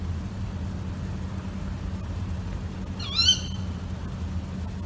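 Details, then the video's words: Single short, sharp shriek from a female tawny owl at night, rising then dipping, with a rich harmonic sound, heard against constant background hiss and low hum. "Call of female tawny owl (Strix aluco) - strange sounds at night"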